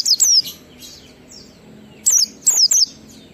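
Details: Oriental white-eye ngalas song in 12345 beat, played to make captive white-eyes sing persistently; clusters of two or three rapid, high, falling whistles at start and end, with faint thin notes in the pause.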